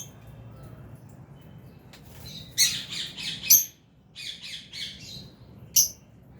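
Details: Albino and Fisher's lovebirds in an aviary colony give harsh, high squawking chirps in a burst of rapid notes, a pause, then a further cluster and a single sharp call near the end, over low background hum.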